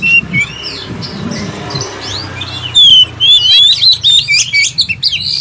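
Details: Black-breasted oriental magpie-robin singing a lure song to prompt others of its kind into song: quiet, hissy opening with faint notes, then from about three seconds a loud run of clear rising whistles and quick chirps.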